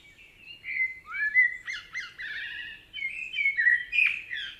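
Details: Common Blackbird song from a Spanish forest, sung by a male from a perch: a varied run of rich, slurred, fluting whistles with warbling wavering notes and brief high squeaky flourishes, phrases flowing almost continuously.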